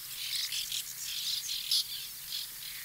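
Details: White-winged terns calling at their nesting colony in 2021: a steady mass of high, scratchy chattering calls from many birds overlapping, with one sharper note standing out near the end.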